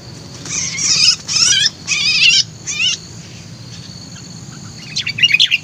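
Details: A kutilang, or Sooty-headed bulbul, used as a lure bird and said to be very vocal and lively, gives four loud harsh, rasping chattering bursts, then a pause and a final quick burst of scratchy notes.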